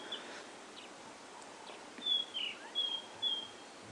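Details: White-browed scrub robin singing at sunrise on an autumn morning, 13 April 2016, in Kruger National Park, South Africa: four high, thin whistled phrases, some drawn out, some slurring down, over a soft rural hush.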